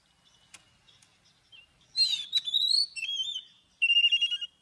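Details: Oriental magpie-robin singing its wild-style morning song with long drawn notes, used for bird training: faint soft notes at first, then a loud burst of rich whistled phrases, warbles and a final rapid trill.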